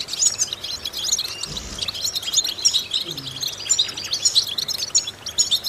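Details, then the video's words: European goldfinch vocal training song meant to stimulate goldfinches: continuous sparkling twitter of high slurred notes and rapid trills, with a soft low thud in the background. "important vocal exercises necessary to stimulate goldfinches"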